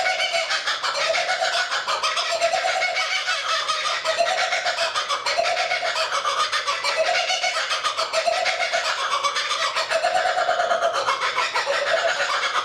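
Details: Lone kookaburra sitting in a tree near a lake in Australia; sustained rowdy cackling chorus with throaty hoo-hoo phrases recurring about every one and a half seconds under dense harsh chatter.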